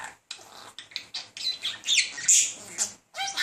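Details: Courting male budgerigar, a talking bird, chattering insistently at a female; rapid run of grating, buzzy syllables and piercing high squeaks with almost no pauses.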